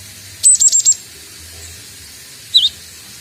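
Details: Young Cinereous tit, locally Gelatik Batu or Glatik Watu, learning to sing and just starting the ngombyok style: a quick run of four or five high, thin whistled notes, then a single short downward-curving note after a pause, over steady low hiss.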